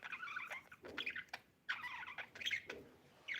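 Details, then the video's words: Budgie chirping softly, with short warbled chatter and twittering phrases broken by brief pauses, fairly quiet and close. "budgie chirping sound"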